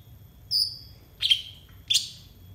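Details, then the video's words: Training song of a brown-throated sunbird (konin) for raw captive birds: one thin high whistled note followed by two loud, harsh, sharply falling chips about half a second apart. "TERAPI AMPUH UNTUK BURUNG KONIN 100% COCOK BUAT MASTERAN KONIN BAHAN"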